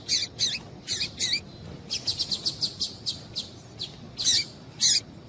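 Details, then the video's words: Female Double-collared seedeater calling to stimulate a male to sing: short, sharp, high chirps in small clusters, some paired and some run together in quick series, with brief pauses between groups over a quiet background. "Piado de Fêmea de Coleiro para Esquentar Coleiro"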